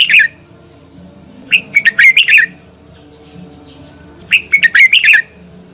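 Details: Red-whiskered bulbul lure bird in duel singing, used to stimulate other bulbuls: two energetic bursts of sharp, rolling chirps about two and a half seconds apart, with a few soft thin notes between and a constant faint high tone.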